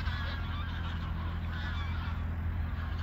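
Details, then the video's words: Geese on migration pass overhead at Koedijk, Langedijk, Netherlands, on the evening of 21 August 2019, giving a string of overlapping honking calls, partly masked by a strong, steady low-pitched roar. "Vogeltrek Ganzen/ Migration Gooses/ Migration d'Oies"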